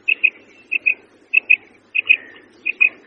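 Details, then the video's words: Female quail giving crisp doubled high notes, about five pairs in three seconds, each pair quick and clipped, over a faint low murmur. "Female Quail Sound 2026 / مادہ بٹیر کی آواز بہت ہی خوبصورت"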